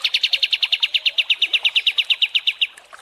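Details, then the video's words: Cream-vented bulbul (kapas tembak) song for training contest birds: a rapid string of about twenty-five clear, bright notes at an even pace, ending abruptly. "MASTERAN KAPAS TEMBAK DURASI PANJANG"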